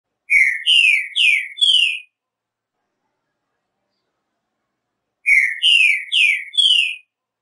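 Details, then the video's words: Green-winged saltator (trinca-ferro) singing two short phrases of four rich, downslurred whistles, each phrase under two seconds and separated by a long silence; no other sounds. "O canto melodioso do Trinca Ferro. Todos os cantos desta ave maravilhosa."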